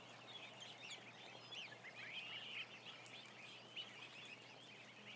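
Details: Ducklings, about a thousand of them, in a barn, with rapid high cheeps and one longer wavering trill standing out near the middle of the clip.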